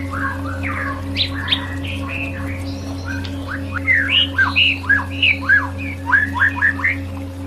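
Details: White-rumped shama song intended to lift a bird's mood and drive: varied scratchy notes give way to a lively series of strong downslurred whistles repeated several times a second, steady hum underneath.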